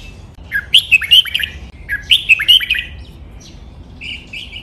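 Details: Caged red-whiskered bulbul giving a training song for other birds to copy, in Thai doubled '23 counted notes', lak wai and Pa La-u styles: two matching whistled phrases of five or six sliding notes, then a softer short trill.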